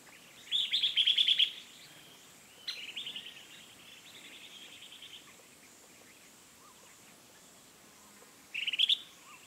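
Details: Rusty-cheeked scimitar babbler recorded at Doi Lang, Chiang Mai, Thailand, giving three bursts of fast bubbling trills: a loud one early, a longer softer run in the middle, and a short loud phrase at the end.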